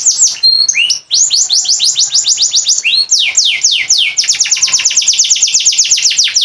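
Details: Caged canary from Boyolali, Indonesia, famed for song bouts lasting over forty seconds and used as a training model: dense high-pitched trills of quick descending sweeps, brief looping whistles near the start, steady rolling rhythm throughout.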